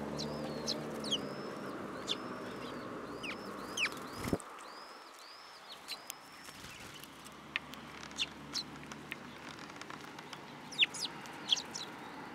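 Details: Sparrows coming to perch on a person's hand at a Tenmangu shrine on 8 July 2022; a quick run of high, arched chirps opens the recording, then a thump and scattered sharp clicks and ticks follow over a steady low background hum.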